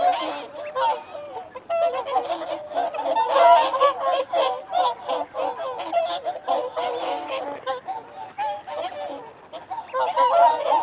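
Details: Whooper swans, together with wigeon and mute swans, giving feeding and territorial calls: a steady, busy chorus of honking, bugle-like notes and short squeaks, swelling louder near the start and end.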